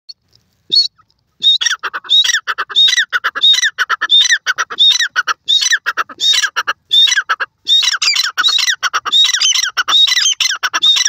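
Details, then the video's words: Teetar, identified as the Dakhni teetar or dark francolin, giving loud harsh calls in rapid repeated bursts, roughly 88 per minute, with sharp broken phrases and short pauses, clear over a quiet background. "teetar calling,teetar speeking,dakhni teetar sounds"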